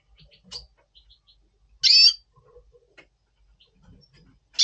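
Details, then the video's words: A double pastel red siskin in breeding mood before breeding, in November 2023, gives a short, loud burst of high, buzzy twittering, then scattered soft chips and a second buzzy phrase at the end, over an otherwise quiet background. "Red Siskin 🦩Double Pastell 🔥FeuerZeisig before Breeding - Voice Brutstimmung"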